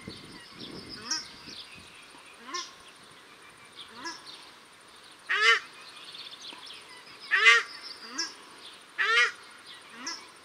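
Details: Paradise shelduck pair, male and female, at Cornwall Park, Auckland, New Zealand; a lower goose-like honk alternates with higher harsh calls, several loud overlapping bursts in the second half.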